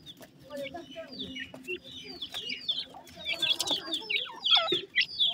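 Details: Black francolin chicks at morning feeding time, many high, sharp chirps and downslurred peeps, sparse at first and growing louder and busier toward the end.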